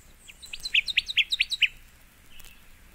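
Connecticut Warbler song: about six loud, quick two-part chirping phrases, repeated five times a second and growing stronger, then fading out into quiet background.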